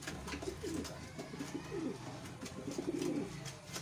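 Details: Wild pigeons reared in captivity, several cooing at once: dense, low, bubbling coos overlapping almost continuously, with clicks and wing or foot noises in the room.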